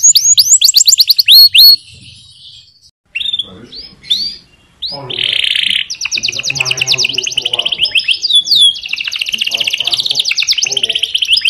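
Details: Yellow canary training song: fast runs of high downslurred chirps, a pause, a buzzy steady note, then long rapid trills repeated several times a second, with a faint low hum beneath.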